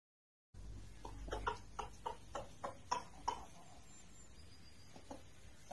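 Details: Ayam Cemani rooster mounting and mating with a hen, giving a quick run of about ten short, throaty clucks roughly every third of a second, then a pause and a few softer clucks, in a quiet room.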